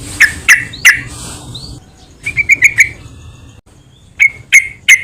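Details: Yellow-vented bulbul sounds used as a lure for other bulbuls: three sharp chip notes, a short fast warbled run, then three more spaced chips over quiet background.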